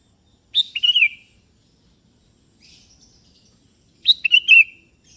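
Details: Kutilang kebo (sooty-headed bulbul) calling a rival, which answers: two bubbly whistled phrases about three seconds apart, each a sharp opening note followed by a run of rolling, falling warbles, with a faint chirp between.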